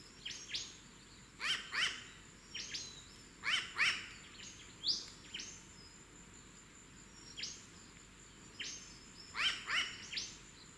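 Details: A wild, free-flying New Caledonian crow, while making a tool from a twig, gives short, harsh, fairly high calls in pairs and triplets every two seconds or so over a steady hiss; these are its typical double "wak wak" contact calls.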